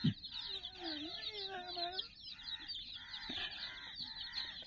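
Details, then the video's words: Flock of some 60 chicks around a teddy toy, peeping steadily in a high shrill chorus, while a lower, wavering tonal call slides beneath it during the first two seconds. "silly chicks chirping"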